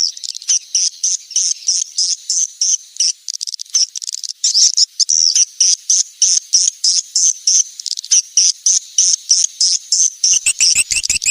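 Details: Swiftlet lure call for attracting the birds in the rainy season: high, sharp chirps repeated rapidly, about three per second, in a steady pulsing train, ending with a few clicking sounds.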